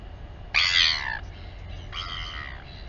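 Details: At a royal albatross nest on Taiaroa Head near Dunedin, New Zealand, a mother feeds her chick; one loud, rasping, harmonic call lasts over half a second, then a softer, drawn-out second call follows, with a low wind rumble behind.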